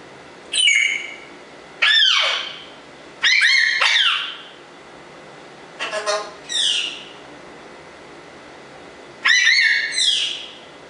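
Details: Pet African Congo grey parrot whistling and talking: loud, bright harmonic calls with sharp onsets and bending pitch, several bursts spaced one to three seconds apart, one fast stuttered note sequence in the middle, in a small quiet room.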